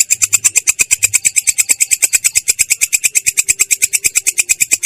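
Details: A long-tailed shrike rolls out a clear, harsh song made of quick, evenly spaced scratchy chips, around seven each second, held steadily throughout.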